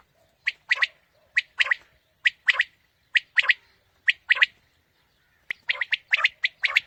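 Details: Quail calls used to lure quail for morning hunting: short, sharp, mid-pitched notes in quick clusters of two or three, repeated roughly once a second, with a brief pause before a denser burst near the end.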